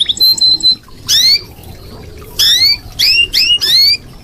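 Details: Red canary giving a steady high whistled tone, then a series of loud, sharply rising slurred notes in quick succession.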